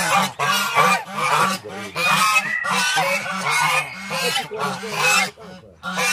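Domestic geese give loud, nasal honks in quick, uneven bursts, several overlapping, over a low steady tone that sounds like background music.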